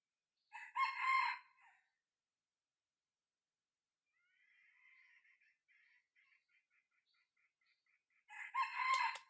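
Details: Six-month-old young decoy cockerel of red junglefowl, tested in the field to lure wild junglefowl: a loud harsh crow opens, faint thin repeated notes follow in the quiet middle, then a second loud crow closes.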